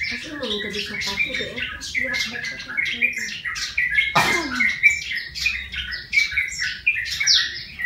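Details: Yellow-vented bulbul trapped from the wild, tame after one month, giving a continuous string of rapid, twittering chirps, with a single sharp click midway and faint low hum behind.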